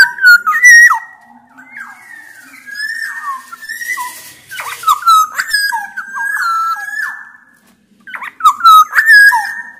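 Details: Loud song of Sumbawa black-naped oriole, kepodang emas, used to coax silent orioles into singing, with male and female Javan orioles reportedly present. Rich whistled phrases, clear rolling notes and slurred drops repeat across ten seconds.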